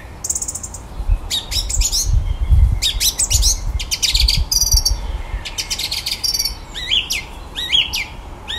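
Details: Male common blackbird singing at the bottom of a garden in the evening, mimicking electronic noises: bursts of sharp clicky broadband notes and high rising whistled phrases, irregular and rapid, over low rumbling background noise.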